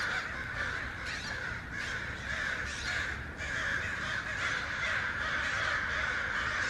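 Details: Crows and other birds making noise together: a dense, unbroken wall of overlapping harsh caws from many birds, holding steady for the whole stretch with slight surges every second or so.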